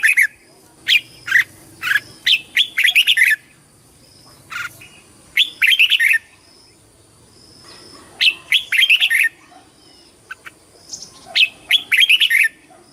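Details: Red-whiskered bulbul singing in competition style, used for flock calling and voice training; loud bright bursts of clear warbled notes in phrases of several seconds, separated by short pauses, with a steady high hum throughout.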